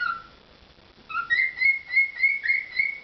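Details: Pet cockatiel performing, giving a low whistle, then a run of five or six clear, even whistled notes repeated about three per second.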